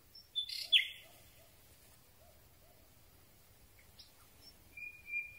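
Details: Common Nightingale at night, captured near the singer with a telescopic microphone pole: a short high squeal and a harsh double note, then quiet soft notes and a thin, level whistle at the end.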